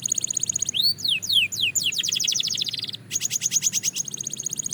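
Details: Belgian canary singing as training material at fast tempo: rapid thin high trills alternate with a run of falling whistled sweeps, then a brief pause and another fast buzzy trill, continuous and bright.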